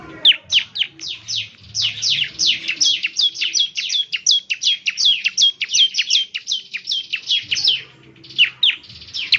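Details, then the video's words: Bar-winged Prinia (ciblek) pouring out an energetic gacor song intended as morning playback for answering birds; a long, continuous chain of high, sharply slurred notes, briefly pausing near the end before resuming. "ciblek semi gacor, putar tiap PAGI agar ciblek semi ikut nyaut bunyi GACOR"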